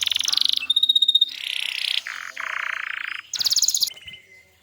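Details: Canary song for training young canaries and prompting silent ones to sing. Dense buzzy rolls and rattling trills come in blocks, with a pure whistled note and a high rapid burst near the end before it fades.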